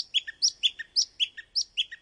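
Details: A male song thrush repeats a bright, fluty three-note phrase three times in quick succession, each note sliding between high and mid pitch, in the way it repeats each phrase of its British dawn-chorus song two or three times.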